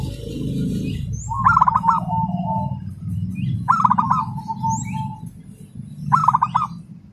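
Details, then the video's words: Local zebra dove with speedy, tightly packed song likened to a sewing machine: three phrases, each a quick rattle of notes trailing into a long level coo, repeated every two to two and a half seconds, low hum behind. "Perkutut Lokal Prospek Lomba Gacoran Speed Rapat Seperti Mesin Jahit"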